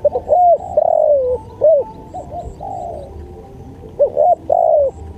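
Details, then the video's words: Spotted dove giving repeated coo phrases for a training and lure track: loud arched and falling coos alternate with softer, distant-sounding coos, with a faint steady hum underneath. "MASTERAN SUARA TEKUKUR"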